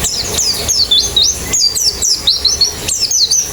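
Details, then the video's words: Chorus of white-eyes from a therapy recording for fast singing with open beak: sharp, very high zigzag chirps repeated in bursts, several birds overlapping, with brief gaps between phrases. "Terapi Pleci Cepat Ngalas Buka Paruh"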